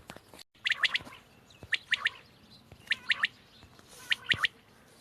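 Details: Quail call dated 31 March 2024: bursts of about three rapid, high chirps roughly every second, heard over a steady hissing, noisy background.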